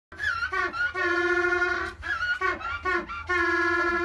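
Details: Several African penguins at a seabird and penguin rehabilitation centre in Mossel Bay, South Africa, bray together as a choir: loud, donkey-like honking notes, each held about a second, with brief wheezy gasps between them.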